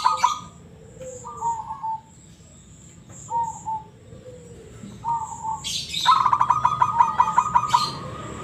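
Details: Local zebra dove singing in the ngebrem voice style: soft rolling cooing phrases near one pitch, repeated with short gaps, ending in a louder rapid pulsed trill with sharp clicking noises above it.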